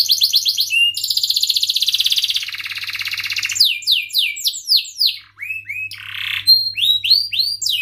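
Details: Canary singing cuit-cuit chirps and rolling trills, used to spur rivals and tutor young canaries: downward chirps, a long pulsing roll, then varied descending sweeps and short whistles in quick succession. Faint hum behind.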